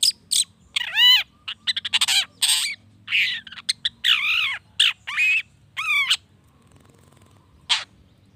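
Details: Long-tailed shrike singing to stir other shrikes into replying, a busy run of rasping notes and repeated descending, ringing slurs, then quieter near the end with one last sharp note; low steady hum beneath.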